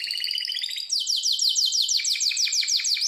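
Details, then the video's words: Harz Roller canary singing for training: a short fast rolling trill, then a steady series of about fifteen downward-slurred whistles repeated several times per second. "Harzer roller gesang"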